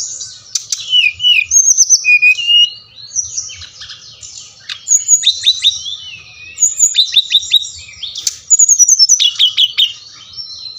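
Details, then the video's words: Brown-chested jungle flycatcher song of the Bali type, played to rouse idle birds into singing. Varied whistled phrases alternate with dry rapid trills and clicks in several bursts, some notes sliding downward, over a faint low hum. "Sikatan Rimba Dada Coklat | putar ini pasti SRDC anda ngamuk gacor dengan suara ini"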